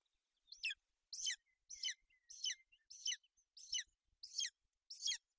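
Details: Golden eagle nest in Bucovina, 28 May 2021, the female keeping her chick warm and dry; high, scratchy descending chirps repeated in a regular series, with soft whistled notes and faint low knocks.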